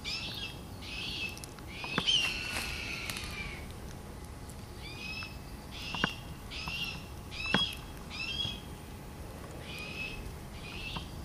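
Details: Red-tailed hawks, a breeding pair and their two young raised this year, circling above an owl nesting ground and calling. Harsh, buzzy screeches slurring downward come in irregular bursts, about nine in eleven seconds. Sharp clicks are scattered through.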